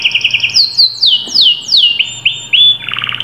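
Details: Canary song used to encourage a silent canary to sing: a few quick trilled notes, then a series of loud sweeping whistles sliding downward, then a fast rolling trill, with a faint steady low hum beneath.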